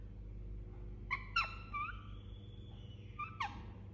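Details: Soft soothing sounds from an Indian ringneck parakeet while sleeping: a couple of short clicks and whistles, one drawn-out level whistle, then another short downslurred note, against a low steady hum.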